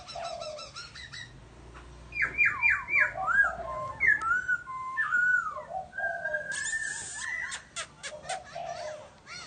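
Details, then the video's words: Laughingthrush singing a chirping song of clear whistled phrases, slurred up and down in a mid-high register, broken by brief pauses, with a few sharp high notes and a burst of high chirping near the end. "Chim Khướu kêu ríu rít"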